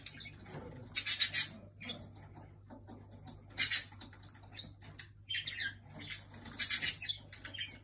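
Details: Pet jenday conure annoying another bird, giving harsh, noisy squawks in short bursts separated by pauses of a second or two, with scuffling and a steady low hum in the room.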